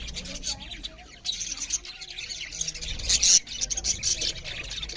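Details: Budgerigars chirp loudly while eating, a flock's high chattering that swells after a brief quieter start, with a sharp louder squeak near the end.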